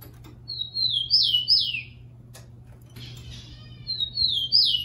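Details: Rufous-collared Sparrow, kept caged, singing for training playback: a sustained whistle and two sweeping downslurs, a noisy pause, then another song beginning with the same whistle and falling note.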